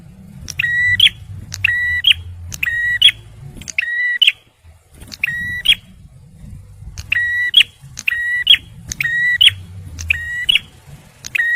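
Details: Lively song of a male bar-winged prinia, used for luring and prompting stressed birds: steady buzzy notes with clicked ends, repeated about once a second in two runs split by a short pause, with low engine-like rumble beneath.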